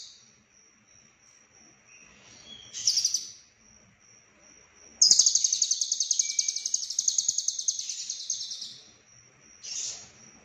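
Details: Lovebird delivering konslet song with cililin fill-ins: a steady thin high whistle, a brief burst, then a long rapid chattering trill lasting about four seconds and a short final burst.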